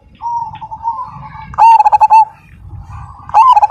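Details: Zebra dove of the Majapahit type, singing actively with a big voice in the 'kung' style: a loud, close burst of rapid, stuttering coo notes, then a second burst starting. A steady chorus of other doves coos in the background.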